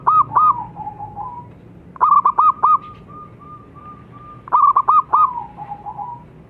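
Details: Zebra dove (Geopelia striata), local perkutut kept as a lure/master bird, song: a soft, mid-pitched phrase of a few quick clipped notes running into a level, slightly wavering coo, repeated about every two seconds.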